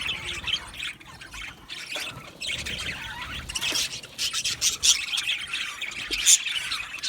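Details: Aviary colony of budgerigars giving a busy mix of scratchy chatter and short squawks, growing louder and denser toward the end with a few sharp whistled notes.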